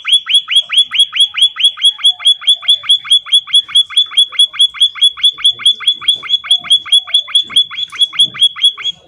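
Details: Munia, described as a very active singer, delivering a long unbroken string of about forty quick, upward-sweeping whistled notes at a steady rhythm, with faint background rustling.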